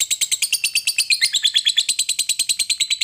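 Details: Continuous ngekek chatter of a fighter lovebird that sets other lovebirds singing: quick, rasping, evenly spaced notes with a brief whistled tone woven into the middle of the run.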